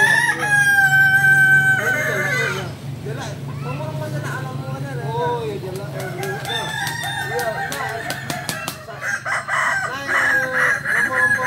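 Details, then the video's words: Crowing of a Kukuak Balenggek chicken, endemic to Solok, West Sumatra, at a group practice meet: a clear ringing crow lasting nearly two seconds, then a long stretch of varied clucking from many birds and a later rough burst of calls. "latberan ayam kukuak balenggek(akb)"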